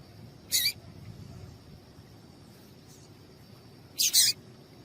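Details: Female papa-capim piado for warming up male seedeaters: an isolated sharp high chirp, then after three seconds two chirps in quick succession, set against low hiss and a faint continuous high-pitched tone.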